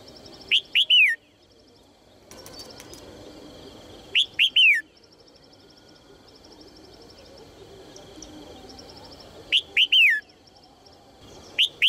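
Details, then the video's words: A female red-whiskered bulbul calls to stir males into song, repeating at uneven gaps of four to five seconds a phrase of two brisk rising chirps and one falling whistled note; a low background murmur fills the pauses. "นกหัวจุก birds - เสียงนกตัวเมียส่งเสียงเจื้อยแจ้วจูงใจนกตัวผู้ให้ร้องเพลงอย่างมีความสุข"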